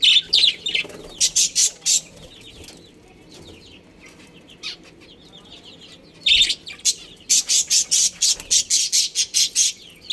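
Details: Budgerigars in a colony, a breeding pair among them, give clipped rapid high chirps in bursts, then a quiet stretch of soft chatter before fast repeated calls return.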